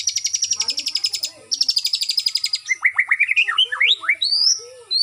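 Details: White-rumped shama (murai batu) kept at a bird farm under routine flight exercise for stamina, giving a fast, high rattling series of repeated notes, a short pause, another run, then bright rising whistled upslurs and chirps.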